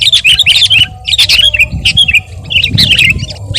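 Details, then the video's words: Sooty-headed bulbul in active song, meant to coach and provoke other birds: clusters of quick, slurred whistled notes in uneven bursts separated by short gaps, above a low rumbling background. "masteran dan pancingan suara burung KUTILANG GACOR"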